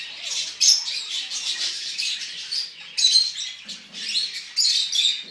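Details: Hyacinth macaw at a bird farm giving harsh, grating squawks in ragged bursts, louder outbursts every one to two seconds over a steady hiss of softer chatter.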